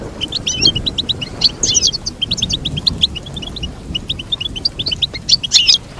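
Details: Goldfinch song: rapid, bright twittering of short high chirps and trills, bursting in clusters with brief pauses, over a soft low background rumble.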